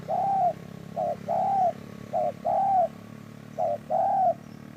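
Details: A spotted dove coos in a trapping setting: three clear pairs of a brief note and a longer arched coo, spaced about a second apart, set against constant broadband noise and low hum.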